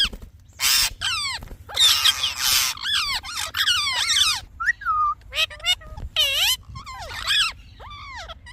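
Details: Talking parrot with chirping sounds: loud raspy squawks at first, then many descending whistled chirps and a few level whistles in quick succession.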